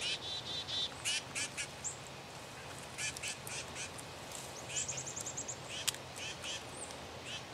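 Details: Black-capped chickadee (Poecile atricapillus), chick-a-dee call.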